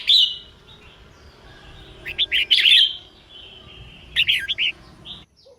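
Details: Female red-whiskered bulbul singing to prompt males into song; an opening whistle, then two rapid clusters of looping warbled notes a couple of seconds apart, with quiet background chatter.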